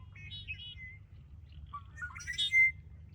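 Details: Red-winged blackbird song recorded 20 February 2025 at Ridgefield National Wildlife Refuge. Whistled notes come first, then rising slurred notes and a loud harsh buzzy rattle that ends in a clear high whistle. Low background rumble throughout.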